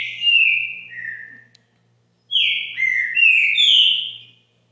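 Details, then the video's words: Caxinguelo bitola song of a green-winged saltator kept at a home: a clear whistled phrase gliding downward, a second of silence, then a louder series of rich linked whistles stepping up and down, over a faint low hum. "TRINCA FERRO CAXINGUELO BITOLA"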